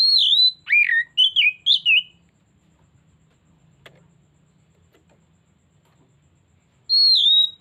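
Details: Oriental magpie-robin (kacer) lure song aimed at drawing out another bird's learned repertoire: a burst of five sharp, varied whistled notes, about five seconds of quiet, then a long high downslurred whistle begins again.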